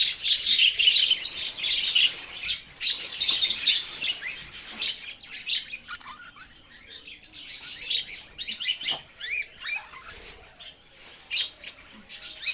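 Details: Budgerigar chirps and warbles, loud and crowded at first, then thinning into scattered sharp tweets and squeaks with quieter pauses between short bursts.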